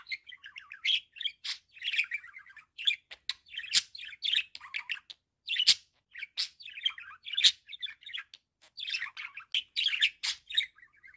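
A budgerigar chatters in a steady stream of high, scratchy chirps and warbles.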